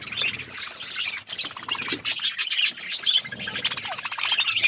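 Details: Several budgerigars eating seeds in an outdoor aviary set in forest; busy high warbling and scratchy chirping chatter throughout, with clear whistled notes overlapping.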